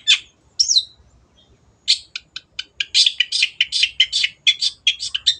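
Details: Long-tailed shrike, a cage bird used as a singing tutor: two sharp slurred squeals, a short pause, then a quickening run of scratchy chattering notes.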